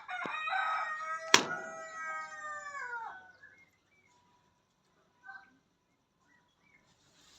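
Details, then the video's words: Indian peafowl, a dancing peacock, gives one loud, brassy, harmonic call about three seconds long that slurs downward at the end, followed by a few faint soft notes. "Beautiful Dancing Peacock with Natural Sound"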